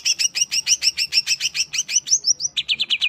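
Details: Greater green leafbird singing a rapid run of bright, bouncing double-pitched chirps, evenly repeated, then a few sweeping whistles and a switch to lower, quick rising notes; used to stir other birds' emotions.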